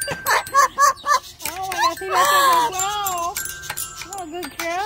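An Amazon parrot chatters in a high, childlike voice: quick speech-like syllables, then drawn-out wavering sing-song phrases that rise and fall.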